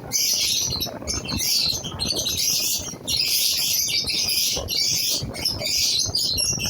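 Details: Newly placed pair of lovebirds chattering almost nonstop, a dense stream of shrill, high squeaky chirps in long bursts with only brief pauses.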